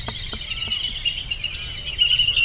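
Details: Flock of whistling ducks in a tree on a January 2013 Sunday morning at Circle B Bar Reserve, Lakeland, Florida, keeping up steady, high, tangled whistling chatter that swells louder at the end, with a few soft taps early on.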